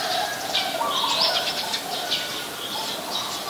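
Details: High, busy chirping of Eurasian tree sparrow, a very common resident of Ubon Ratchathani, Thailand, recorded 10 May 2020; chirps run almost continuously, with a softer low cooing-like call heard in the background.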